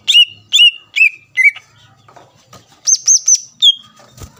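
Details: Greater green leafbird in vigorous song to trigger rival leafbirds: four whistled falling notes about half a second apart, then three very high ringing notes in quick succession and a final whistle.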